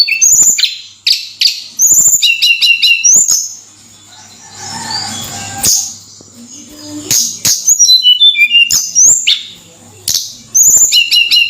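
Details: Javan sunbird (tledekan) gives bursts of high whistled notes and tinkling trills, with a softer murmuring, mixed sound in the middle pause between the song phrases.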